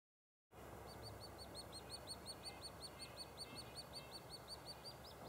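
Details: White-headed woodpecker nestlings in a nest cavity at Lassen Volcanic National Park. Their chirping grows louder as a parent arrives to feed. High, short chirps repeat steadily, almost three per second, over a low, constant background rumble.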